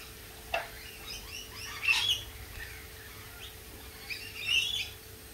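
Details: Lorikeets mix soft scattered twitters with two loud, shrill screeching bursts, one near the middle and one near the end, and a brief clicking sound near the start.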